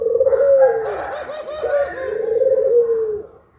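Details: Puter pelung collared doves at midday. A rich, overlapping coo with a long low note, a wavering bubbling middle section, then a sustained, slightly falling final note that fades out.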